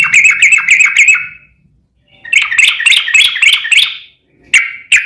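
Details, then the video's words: Training song of a yellow-vented bulbul, meant to make a caged bird sing back: fast runs of sharp chirping notes, a pause, then another excited bubbling burst and a few short notes. "KICAU SUARA trucukan gacor TARUNG sambung ROPEL ampuh MENJADIKAN burung trucuk gacor NYAUT"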